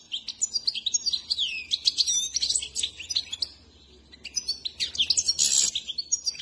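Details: Trained European goldfinch, a Himalayan saira kept as a cage bird, in full song: fast tinkling twitter of sweet whistles and buzzy notes, broken by a short silent gap, then a second burst with a harsh buzzy note.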